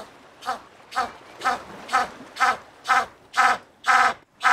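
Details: African penguin, which lives on the waters and rocky shores of southern Africa, giving a donkey-like call: a series of harsh, nasal brays, each about a second apart and growing louder through the sequence.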